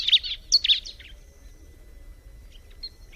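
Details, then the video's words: Bar-winged prinia song: two quick bursts of high, sharp chirped notes in the first second, then fading faint chirps over a low background hum. "kicauan alam burung ciblek"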